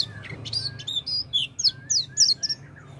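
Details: Oriental white-eye song to trigger singing in a quiet white-eye: a short burst of high slurred chirps and twittering notes, several in quick succession.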